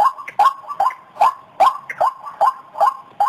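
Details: White-breasted waterhen lure call: rasping notes, some doubled, repeated in a quick, fairly regular series about twice or more each second, with faint softer notes between the loud ones.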